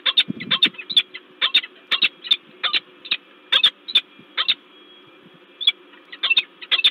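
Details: A vocal peregrine falcon at a nest site on the LOTOS plant in Gdańsk, Poland, recorded 10 February 2023, gives rapid harsh sharp notes in pairs and clusters, almost continuously, over a steady low mechanical hum.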